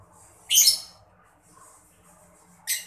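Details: Mocca lovebird chattering (gemericik), used to stimulate other birds to sing; two harsh, shrill, broadband chirps about two seconds apart, with soft faint twittering between them over a quiet background.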